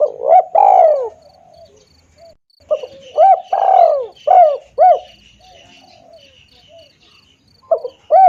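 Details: Spotted dove call used as a lure for catching birds: mellow cooing phrases of short looped notes, each ending in a long, falling, rolling coo. Phrases repeat with pauses, over a steady, high pulsing insect-like trill.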